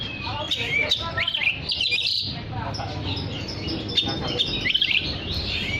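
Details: Actively singing oriental magpie-robin, used to call other magpie-robins: rapid run of chattering, warbled notes and short whistled slurs, fairly continuous throughout, with a low background hum underneath.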